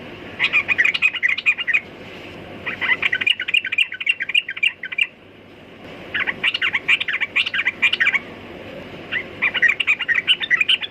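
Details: Yellow-vented bulbul singing in dense, chattering phrases of rapid liquid chirps, each lasting one to two seconds, with short breaks between them.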